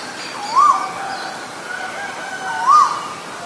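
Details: Asian koel, from a recording presenting male and female birds; two clear whistled notes that rise then dip, about two seconds apart, over a soft constant background hiss.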